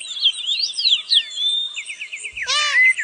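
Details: Red-browed finch (Neochmia temporalis) in the wild in Australia: high, thin whistled notes slide up and down, then a quick run of short repeated chips and a harsher, ringing burst near the end.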